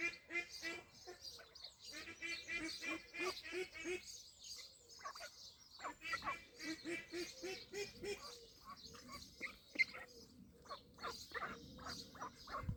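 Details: Ducks on a Welsh duck pond, 23/5/26, calling in dense bursts of rapid, buzzy quacks. A short pause near four seconds breaks the run, and the quacks thin out and grow more scattered toward the end.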